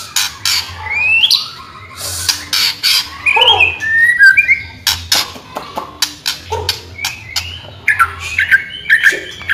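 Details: White-rumped shama song intended to train and stir other shamas into singing: short whistled and slurred phrases scattered among frequent sharp clicks and taps, over a steady low hum.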